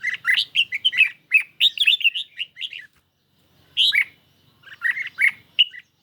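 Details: Red-whiskered bulbul kept caged, competing in song against a phone recording under mild sun: a dense two-second torrent of bright warbled notes, a pause, then shorter chirpy phrases, background otherwise quiet.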